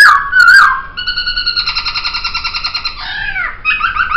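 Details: Laughingthrush song recorded for training: a loud sliding whistle, then a long even rattling trill at a steady pitch lasting about two seconds, a falling swoop and a further short trill.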